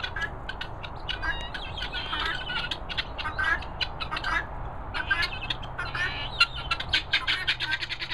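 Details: A group of young helmeted guineafowl keets, let out free and eating mealworms, peeping with many high, thin chirps overlapping in quick bursts.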